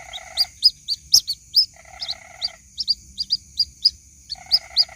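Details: White-breasted waterhen chick calling its mother: repeated sharp upslurred peeps, about four per second. Buzzy rattling trills come at the start, middle and end, with a constant faint high-pitched whine.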